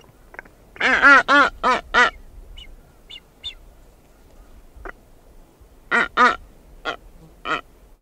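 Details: Female blue-footed booby calling at close range while walking around its nest site: loud nasal honks with rich stacked harmonics. A quick burst of four opens the clip and another four come near the end, with softer short notes between and a quiet background.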